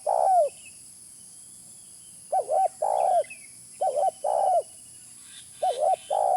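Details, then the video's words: Low, hollow cooing of a spotted dove used to lure birds: a long falling coo, then three repeats of a wavering double coo followed by a sustained note, with scattered faint chirps. "Suara pikat terkukur original"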